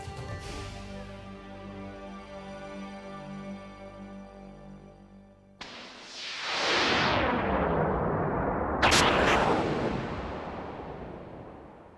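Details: A sustained musical chord gives way to a loud blast and a long rushing whoosh, with a sharp crack near the end; no animal voice is heard.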